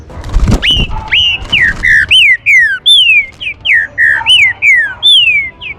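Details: Green-winged saltator song used to warm up other saltators, making them fiery and active: loud, clear whistled notes, each quickly rising then sliding down, delivered in a brisk run of about ten phrases with short gaps and a low thump at the start.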